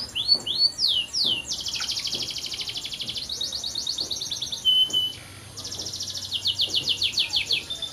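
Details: Canary singing a continuous, high-pitched song of rapid rattling trills and buzzy repeated notes, opening with a few sweeping whistled phrases and pausing briefly near five seconds before the fast trills resume; faint low background hum.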